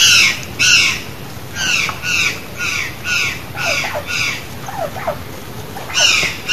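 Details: Curl-crested jay singing free in the wild in Brazil, giving loud, harsh, nasal squawks in short bursts about once a second, with a few lower gurgling notes near the end.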